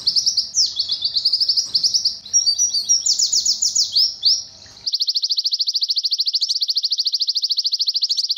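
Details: White-eye tutor song in the 'nembak kenari rapat' manner: varied chattering, descending high notes, then a long, very even, rapid high trill lasting several seconds without a break.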